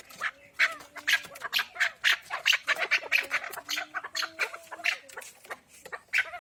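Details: Wild chukar partridge in the Pamir, softer and more distant, giving scattered sharp, squawky notes at an uneven pace, with a faint low drawn-out tone beneath.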